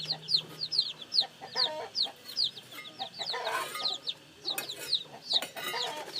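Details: Chorus of newly hatched chicks: shrill, downward-sliding peeps about two or three per second, with a brief burst of louder noisy chatter midway.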